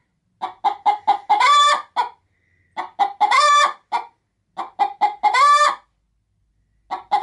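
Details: Pet hen getting ready to lay an egg inside a sack of chicken feed, cackling when approached: bursts of short clucks rising into a long, harsh, drawn-out cackle, three bouts about two seconds apart with silence between.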